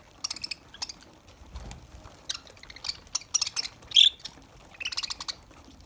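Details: Lovebirds at their green food utter clean, high chirps and clicks in short clusters, with one louder, sharper squeak near the middle and little background noise.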